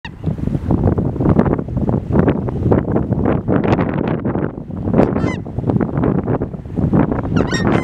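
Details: Southern screamers in Uruguay give loud, harsh, goose-like honks in a rapid, overlapping chorus, with a few higher squeaky notes and some wind rumble.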